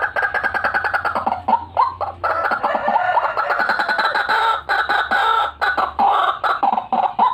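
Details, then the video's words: White-breasted waterhen, a recording used to lure birds: loud, harsh, croaking calls that run together in a dense, nearly continuous chorus, pulsing rapidly with overlapping layers, with brief gaps around two and four and a half seconds. "RUAK RUAK GACORAN"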